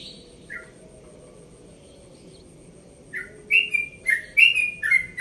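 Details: Before dawn, a yellow-vented bulbul aged one and a half, from Bekasi, gives scattered chirps, then a quick run of bubbly, slurred whistles about five per second.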